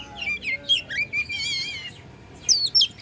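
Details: Oriental magpie-robin (kacer), Bandung type, singing to provoke rival birds: clear high whistled phrases, some rising, others wavering and trilled, then a pause and two sharp high notes near the end.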